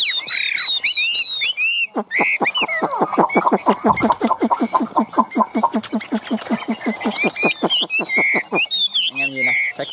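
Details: Caged Chinese hwamei, a bird offered for sale in Vietnam, sings a rapid series of about thirty sharp, evenly spaced notes after high whistled phrases, with a man's voice briefly audible.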